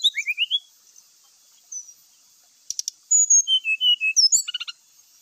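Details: Grey-chested jungle flycatcher lure song full of imitated phrases: a rising series of short whistled notes, a quiet gap, then dry clicks and a quick burst of warbled descending whistles.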